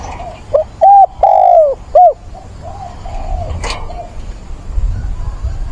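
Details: Spotted dove calling to attract a mate: a brief hooked note, then a series of mellow low coos, the third longest and falling at its end, followed by faint softer coos and a click.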